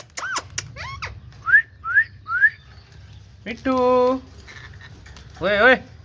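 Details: Ringneck parrot uttering a few sharp notes, three quick rising whistles, then a drawn-out nasal, buzzy, voice-like sound and a shorter similar one near the end.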